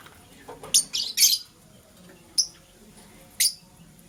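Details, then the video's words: A green lovebird chirps in the morning: a fast run of rasping, squawky high chirps in the first second and a half, then two single clipped chirps about a second apart. "Green LoveBird Chirping Sound"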